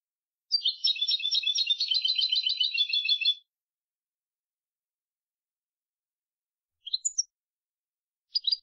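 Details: European goldfinch singing clean-style song from a 2020 recording, a continuous three-second tinkling twitter of rapid high notes. After a long silence come two short bright chirps, with no other sounds.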